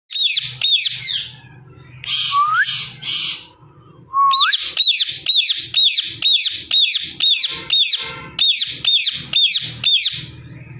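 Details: Female Indian ringneck parrot making natural sounds: a brief buzzy chatter, two rising whistled slurs, then a long run of sharp, hooked screeches repeated about twice a second over a low background hum.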